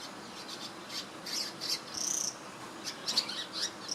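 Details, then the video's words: Swiftlet-like bird preening in Singapore, 2017, giving short high thin chirps in scattered bursts, with one longer drawn-out squeaky note midway, over a soft steady background hiss. "Cute Swiftlet-like Bird Chirping (Sound) & Preening"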